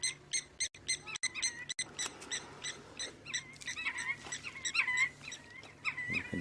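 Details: Senegal lapwings in a mixed flock with crowned lapwings fly around behind a safari vehicle on an afternoon drive in Sabi Sands, 24 June 2016. Several birds give sharp, high piping notes in quick overlapping bursts.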